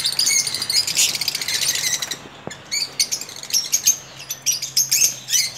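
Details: Captive lovebirds chattering in a breeding colony: sharp, high-pitched chirps and thin whistled notes tumble over one another, with a brief lull midway before the busy calling resumes.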